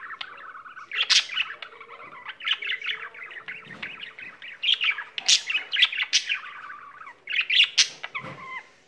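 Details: Singing pet budgerigar that keeps going: steady chattering warble of quick chirps and buzzy phrases, punctuated by several sharp high squeaks and a brief drop in volume before the chatter resumes.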